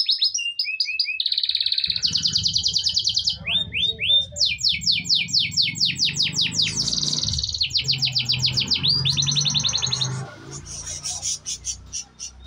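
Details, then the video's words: Canary singing a varied high song: sweeping chirps, buzzy rolls and rapid trills in changing bursts, over a steady low hum. "Putar Suara ini setiap hari suara asli kenari"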